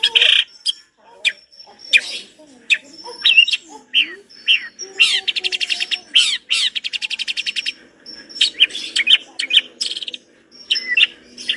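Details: Energetic long-tailed shrike song with rich material: a long medley of sharp chirps, thin high whistles, sliding notes and a sustained rapid rattling trill in the middle, delivered in quick, varied phrases.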